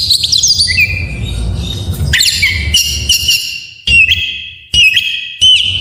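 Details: Varied full isian song of an Oriental magpie-robin, played to prompt reluctant birds to sing: high whistled slides, then sharp bursts leading into held, wavering whistles repeated several times, with low background rumble.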